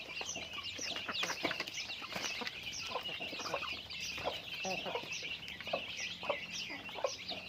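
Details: Chickens going about their daily activity: a dense, continuous chorus of high, overlapping peeping chirps with scattered lower clucks, many birds calling at once with no pause.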